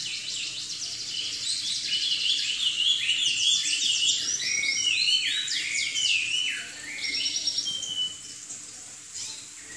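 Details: Lively Chinese hwamei song: dense bursts of fast, trilled and stuttering high notes mixed with sharp downslurred whistles, easing after the loud opening into sparser, quieter phrases.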